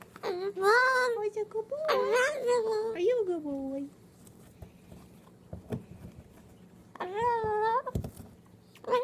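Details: Captive Moluccan cockatoo mimicking human speech indoors: several rich, harmonic word-like phrases in the first four seconds, a quiet gap with faint tapping, then another rising phrase near the end.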